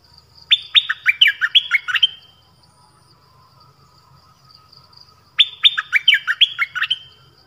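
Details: 'Pleng berl' song from a nok dok taeng bird, used to teach young birds. A phrase of quick, clear, falling whistled notes repeats after roughly five seconds of quiet, with a faint low murmur underneath.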